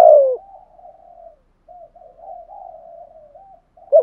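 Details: Spotted dove cooing in the 'thúc gù' and 'gáy gọi' styles to make wild doves coo back. A loud, hoarse, falling coo at the start, then long soft wavering murmurs, ending with the start of another loud note.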